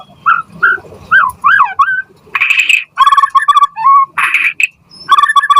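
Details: White-rumped shama, an actively singing bird used as a lure and master recording to prompt other shamas to answer and learn a full repertoire: looping whistled notes rising and falling, then harsh buzzy bursts and quick stuttered phrases.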